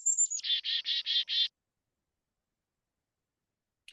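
A Black-capped Chickadee gives two high, thin introductory notes, then five harsh, buzzy 'dee' notes in quick, even succession, followed by silence.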